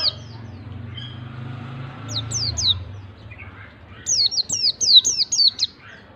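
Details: White-eye singing to provoke a reluctant bird into song: after a quiet start, thin high chirps come first, then a quick run of sharp, high notes that each slide downward, about four per second, over a low background hum.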